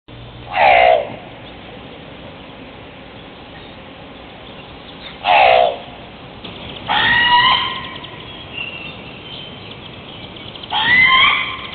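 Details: Hawaiian crow giving four loud, harsh calls spaced a few seconds apart: two short descending cries, then two longer, raspy, harmonic-rich calls, over a faint steady background hiss.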